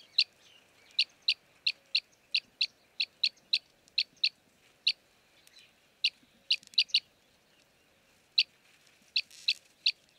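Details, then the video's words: Arabian green bee-eater, a common breeding resident, perched in Jeddah, Makkah Region, Saudi Arabia: short high chirrups, singly or in quick pairs, repeated irregularly about twice a second across ten seconds, over a quiet background. "Arabian Green Bee Eater - Jeddah, Saudi Arabia"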